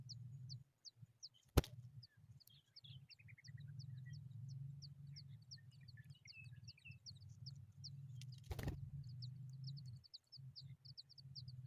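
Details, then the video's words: Hungry Familiar chat nestlings give thin, high, rapid begging squeaks repeated steadily, with a brief falling chatter, over low rumbling background noise and two sharp knocks. "Familiar chat bird babies are hungry"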